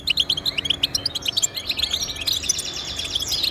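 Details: Goldfinch song used to motivate caged goldfinches: fast, high, liquid twitters and tinkling chirps in an unbroken stream, closing with a buzzy, drawn-out trill.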